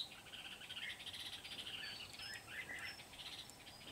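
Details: Red-whiskered bulbul decoy bird from Kim Bôi, Vietnam, recorded 8 September 2019 during trapping of wild birds, singing lively chattering phrases with rising and falling whistled notes over soft background hiss.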